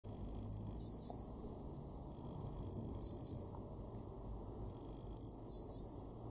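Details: Great tit in a garden in Weener, East Frisia, northwest Germany, March 2024: high, sharp two-part phrases that drop in pitch, repeated about every two and a half seconds over low steady background rumble.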